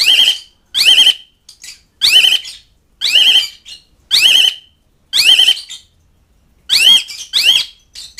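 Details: Calling Asian pied starling, addressing mates and rivals: loud, grating, harmonically rich calls with a whistled core, given one after another roughly every second, some followed by a short soft chatter.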